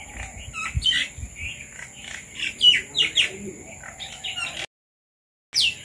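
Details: Red-vented bulbuls that have come to eat papaya give short, bubbly chirps and squeaky notes in quick irregular bursts, over a steady high insect-like whine, low background rumble, and a brief silence.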